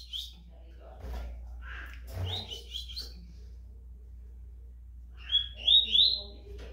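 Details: Rusty-collared seedeater prepared for tournament season, called fast and strong, giving a faint brief phrase, then a clearer rapid burst of high, sharp notes near the end amid rustling, knocks and a low hum.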